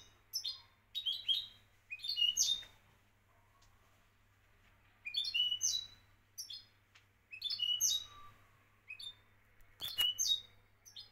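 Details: Moroccan champion European goldfinch singing in short bursts: quick, bright twittering phrases of a few notes, spaced out by pauses of one to two seconds.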